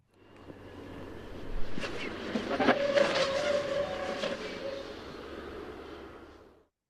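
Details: Black Vulture display dive recorded directly overhead, a vocal signal given in flight display: a rushing roar swells over about two seconds then fades slowly, like a jet passing fast, over a faint low hum.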